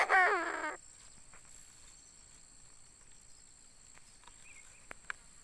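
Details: Tame caged decoy Chinese francolin gives one short, loud, rasping phrase of quick downward-bending notes at the start, then faint rural background and a few soft knocks.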